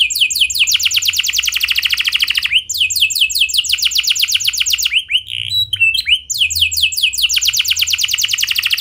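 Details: Canary in vigorous rolling song used to get other canaries singing: long, fast high trills of repeated notes, a short break of scattered chirps midway, then the roll resumes.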